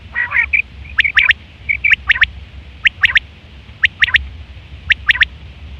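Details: Quail giving its hunting and mating call, September 2023: a brief rattling trill, then clipped paired and tripled notes repeated roughly every second, with a faint low hum underneath.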